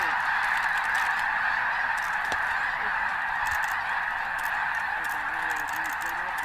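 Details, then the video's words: Mass pre-dawn departure of snow geese at Bosque del Apache National Wildlife Refuge in cold December, a constant din of massed honking with wingbeat rustles and scattered nearer yelps. "Bosque Blastoff"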